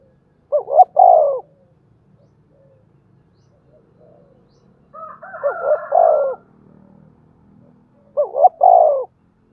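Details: Spotted dove used to stimulate other doves to coo, a country-style voice; loud, clear coos in three bursts about three seconds apart, each with mellow, wavering notes, over a quiet background.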